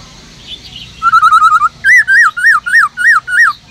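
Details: Black-throated Laughingthrush in a cage, singing forest voice: a run of short staccato notes, then seven rounded arched whistles delivered at a brisk, even pace.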